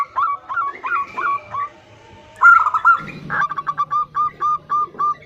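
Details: Female zebra dove calling to the male with bursts of short, bright coo notes: one spaced series, a brief loud flurry, then a fast even run of about a dozen notes over a low hum.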